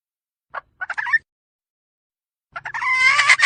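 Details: A hen gives a few short clucks, falls silent for over a second, then breaks into a loud, harsh drawn-out cackle with a faint low hum underneath.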